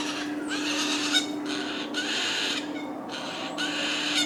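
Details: July drop-rig recording in Padarn Park woodlands of Eurasian Jays feeding chicks: loud, rough hissing screeches, each about half a second long, coming in four or five bursts over a steady faint hum.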